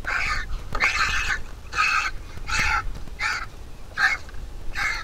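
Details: Begging from a big vulture chick at the nest as the mother feeds it, seven rough, hoarse calls at uneven spacing, some slightly drawn out, over steady low background hum.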